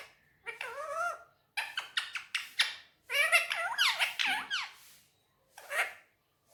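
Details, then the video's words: Indian ringneck parakeet imitating Urdu/Hindi speech on a table indoors: wavy, rising and falling voice-like syllables in three bursts, the middle one long and busy, with brief pauses between. "Mitthu talking on table || so cute Mitthu is very sweet talking || And lovely parrot Urdu/Hindi"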